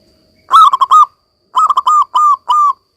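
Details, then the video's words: Zebra dove of local stock in steady song, offered as therapy for silent doves: one phrase of rapid coo pulses, then a longer run of pulsed coos and three drawn notes. "perkutut lokal gacor ini cocok buat terapi perkutut kalian yang lagi macet bunyi agar kembali gacor"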